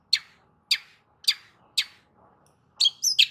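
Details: A long-tailed shrike, played to spur a silent shrike into song, gives four harsh, abrupt high notes spaced about half a second apart, followed by a quick, squeaky chattering burst.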